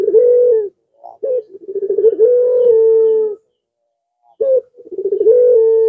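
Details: Zebra dove song used to lure rival males: low mellow cooing phrases, each opening with a short note, then a stuttering run of rapid notes swelling into a long steady hum, repeated twice with brief silences between.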